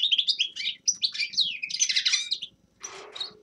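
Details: Grey-crowned goldfinch singing a fast, high twittering run of bright chirps and trills for about two and a half seconds, then a short harsher, rougher burst after a brief pause.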